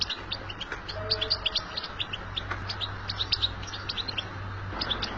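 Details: European goldfinch in the wild, twittering: quick bright chirps and short tinkling notes in loose bursts, several per second, over a steady low hum and broad background hiss.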